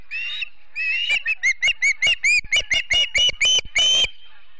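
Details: A wild Osprey calls at its nest in Charlo, Montana, on a September morning, captured by live nest camera. A few drawn-out whistles lead into a quick string of about fourteen clipped, piping chirps.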